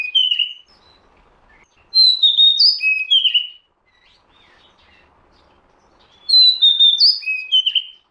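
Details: Used as a lure, an Oriental magpie-robin delivers two loud phrases of clear, descending and rising whistles, separated by a soft stretch of quiet twitters.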